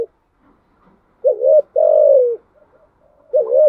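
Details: Spotted dove, THÚC GÙ song style: after a pause, a hooked rising note and a long smooth descending coo, then another hooked note starting the next phrase.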